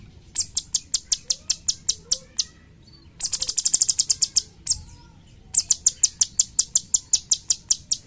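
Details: Cucak cungkok bulbul, kept as a master bird for teaching songbirds: runs of crisp high chirps at a steady pace, broken by short pauses, with one faster, denser burst in the middle.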